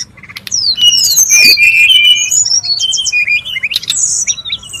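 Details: Noisy wild Brown-chested jungle flycatcher, recorded as a lure and tutor sound: a fast, dense run of high whistled slurs and twittering notes, rising and falling and overlapping, with a faint low whistle underneath.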